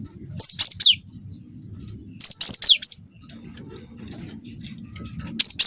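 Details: Cinereous tit song mixed with canary-like phrasing: repeated clusters of piercing high notes, some sliding sharply down, coming roughly every two seconds over a soft low murmur.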